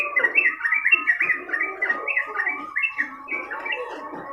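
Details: Long, chatty song of a yellow-vented bulbul recorded for tutoring: rapid, rippling notes sliding up and down, run together in quick bursts with hardly a break, plus a thin steady tone beneath.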